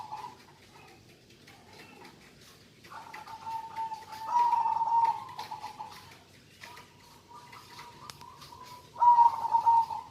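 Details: Zebra dove of a local type in lively song, repeating soft rolling coos at a steady low pitch in phrases lasting one to two seconds, some louder and more trilled, with brief gaps and quiet room noise.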